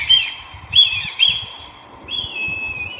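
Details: Brahminy kite (Haliastur indus) giving three short, high, squealing notes about half a second apart, then a long, drawn-out wheezy mew that sags slightly in pitch, over a faint low rumble.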